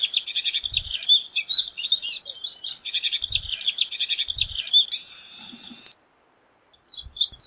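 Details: Pine siskin delivering fast, jumbled high twittering that ends in a long, drawn-out rising buzzy wheeze, then silence with a few faint chips.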